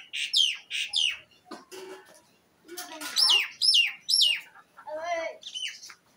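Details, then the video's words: Pet myna singing; loud clear whistles that slide down in pitch, given in quick pairs and runs, mixed with a few lower buzzy and rasping notes and short gaps between phrases. "Myna Bird sing"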